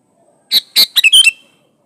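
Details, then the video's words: Vigorous sooty-headed bulbul song, original and free of added birds, used to lure others into singing: one cheerful phrase of five quick notes, the last ones bubbling and falling. "Suara burung kutilang gacor Asli tanpa isian Ampuh buat pancingan kutilang gacor"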